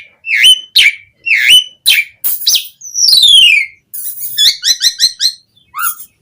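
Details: Asian pied starling in full song, used to prompt captive birds into singing: swooping whistles, a long descending slurred note, then a rapid run of sharp repeated chips and a final harsh squeal.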